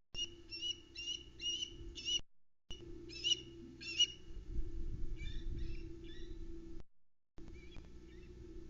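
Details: On the Loch Arkaig osprey nest on 31 August 2020, female osprey Vera (JJ8) shouts, with shrill whistled chirps in quick runs, as male Louis brings a mackerel; she later calls in a rapid flypast, perhaps at an intruder.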